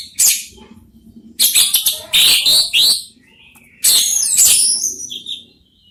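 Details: Orange-headed thrushes, three birds answering each other in Indonesia, giving dense harsh, scratchy and chattering song bursts of high notes, with brief quieter gaps and a faint low hum beneath.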